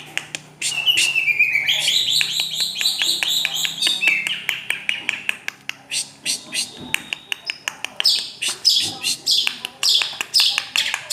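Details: Long-tailed shrike song of varied high whistles and slurred notes, dense rapid clicking chips repeated many times a minute, over a low steady hum.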